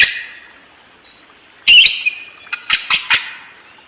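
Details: Budgerigar giving a harsh buzzy burst followed by several short scratchy chirps in quick succession.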